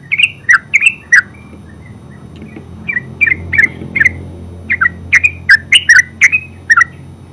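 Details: Terucuk, or yellow-vented bulbul, singing in 'ngeropel' style: loud, chortling liquid phrases, a fast cluster at the start, a brief lull, then a long run of bubbly notes, over low background hum.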